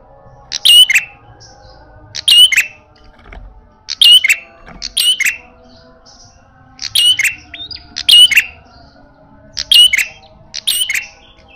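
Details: Fierce red-headed prinia in fighting mode, calling loudly: short explosive bursts of a sharp whistle and rattling buzz, coming in irregular pairs every one to two seconds across the stretch, with a faint steady hum behind.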